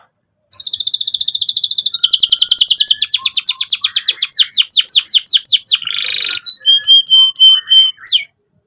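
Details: Singing canary, played as a lure for young canaries learning their song: a long rapid rolling trill shifting through several tones, a brief harsh burst, then spaced clear piping notes.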